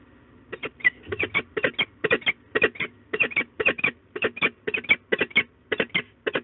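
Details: A pair of wild peregrine falcons together at a nest box in De Mortel, Netherlands, on 13 April 2022 at 13:50: harsh, clipped notes repeated rapidly in pairs and short runs, with a faint steady hum behind them.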